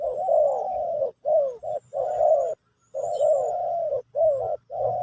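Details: Pesom/Kacuk-style song of a spotted dove, used to teach a new bird: rich, low coos in long, slightly falling notes, grouped into phrases about one second apart with short gaps.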